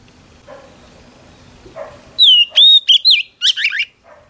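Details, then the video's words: After a quiet start with low background sounds, a female Oriental magpie-robin breaks into loud clear whistles and buzzy trilled notes, singing to fire up male birds. "Chòe than mái HUÝT KÈM THÚC TRỐNG kích trống căng lửa"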